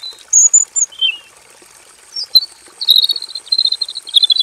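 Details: Robin kept in a simple aviary, singing actively through a varied master song: clear high whistles and a dipping note, a short rest, then a long fast run of repeated chattering notes, over a steady thin hum.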